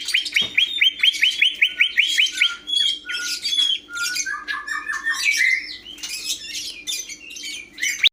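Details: Greater green leafbird song opening with a fast run of about ten repeated ringing notes, then shifting through varied chattering phrases, trills and squeaks, with a soft constant hum in the background.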